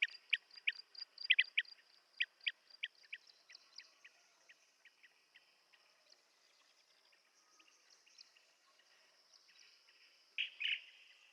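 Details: Blue-tailed bee-eater calling in a loose series of sharp chirps for the first few seconds, then fading to faint scattered notes before a brief louder burst near the end; faint high hiss behind.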